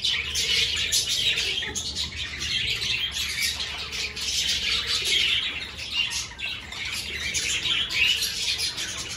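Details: Many budgerigars in an aviary at the start of breeding season, choosing newly hung clay nest pots, keep up a steady stream of high, scratchy chirps and twittering overlapping throughout.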